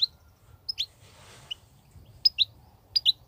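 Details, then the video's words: European goldfinch, a wild singer in the 'batbatat' style: crisp paired high chirps, each a short flick dropping in pitch, given in small groups roughly every half second to a second, over a faint low hum. "صوت الحسون البرى:مقنين خلوى ممتاز..بتبتات.. غناء لاينقطع"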